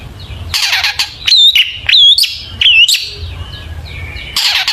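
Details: Long-tailed shrike in full mimicking song, played as a lure to get shrikes singing: harsh buzzy bursts broken by three wavering whistled phrases about a second apart, then more raspy chatter.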